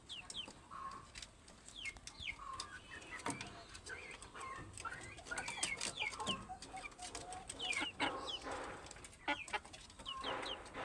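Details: Well-fed chickens give a busy stream of high falling peeps and some lower clucks, broken by clicks and rustling.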